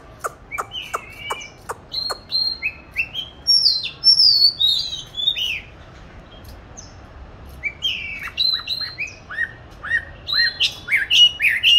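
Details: Oriental magpie-robin kept in a cage, hatched-year 2020 bird filmed in March 2021 during song practice: sharp clicks at first, then spaced, high whistled phrases with rising and falling slurs, resuming after a brief lull.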